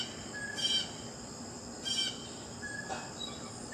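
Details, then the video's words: Blue jay: two loud, harsh buzzy calls a little over a second apart and a fainter third, over steady high-pitched insect noise. "Blue Jay Birds Sounds"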